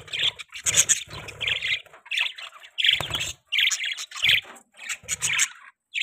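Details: Budgies keep up a lively warble of high chirps and squeaky notes, rising and falling in short phrases about every half second, with a few rough rasping bits.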